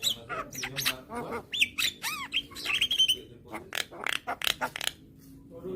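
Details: Young white-eyed Javan myna calling with head bobs, meant to lure hybrid mynas; mixed chatter of harsh squawks, arching whistled notes and rapid clicks, with faint background hum.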